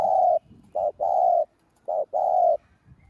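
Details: Spotted dove used to lure other doves: rhythmic pattern of a brief coo followed by a longer smooth coo, repeated twice, against faint background rustle.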